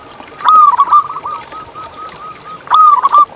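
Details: Zebra dove, a local bird, singing as a lure to prompt other zebra doves to sing: two loud phrases of quick, bubbling coos, separated by a softer, rolling trill of repeated coo notes.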